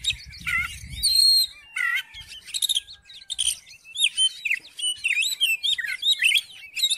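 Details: Song of an Oriental magpie-robin, used to stimulate another bird that has stopped singing: varied whistled phrases, some sliding downward, then a busy run of rapid mixed chirps and warbles, with faint low rumble early on.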